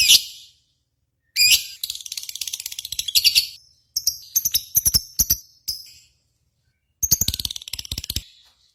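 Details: Lovebird contest sound used to coax caged lovebirds into song. Several bursts of fast, jangling, high chatter are separated by short silences, each burst buzzy and rattling like a shaken tambourine.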